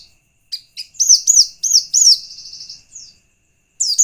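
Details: Lure song of a white-eye meant to make other white-eyes sing back: clipped chirps, then a run of sharp rising-falling whistled notes fading into a long trill, before a fresh outburst.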